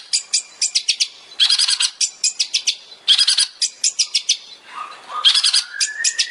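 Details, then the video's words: Captive Long-tailed Shrike (cendet) song: rapid bursts of harsh, high chattering notes with fast trills and a few lower rising whistles, repeated in quick phrases. "CENDET SPESIALIS TEMBAKAN"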